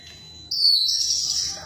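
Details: White-rumped shama giving a high, thin, sustained buzzy whistle that starts abruptly and holds steady for over a second before fading.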